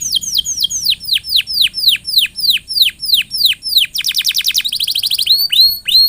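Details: Canary singing to encourage other canaries: a long series of loud descending whistled notes, roughly three per second, then a rapid high rattling trill and a few final swoops.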